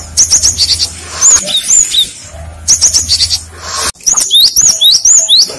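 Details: Cinereous tit singing a lure song with answering tits: rapid runs of high whistled notes, then rising and falling two-note phrases repeated quickly, over a faint low hum.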